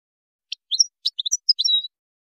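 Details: Moroccan goldfinch, a 2019 recording of the widani song composition: a short burst of high, bright chirps and twittered notes ending in a thin whistled slur, then silence, with no other sounds.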